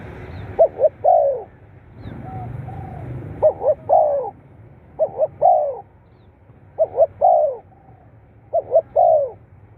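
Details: Spotted dove cooing for stirring captive birds into calling: five well-spaced phrases, each two quick hooting notes then a fuller coo, about every one and a half seconds, with faint background hiss.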